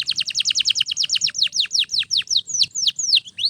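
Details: Canary singing for training other canaries: a fast run of crisp, high, downswept notes that gradually slows into more spaced, drawn-out slurred whistles.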